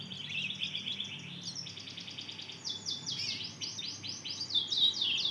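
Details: Juvenile mozken, a Mozambique canary and canary hybrid two months old, working out its song with rapid, rattling high trills of repeated notes, about four per second, then brighter buzzy twitters.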